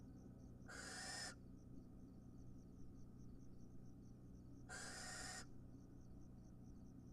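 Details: Wild barn owls at feeding time, an adult bringing food to the nest; two long harsh hissing screeches about four seconds apart, with faint rapid ticking and a steady low hum in the background.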